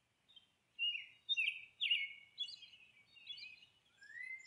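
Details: Monk parakeet during nesting, a handful of loud rasping squawks in quick succession after a faint start, then softer scratchy notes and a closing rising whine, with faint low background hum.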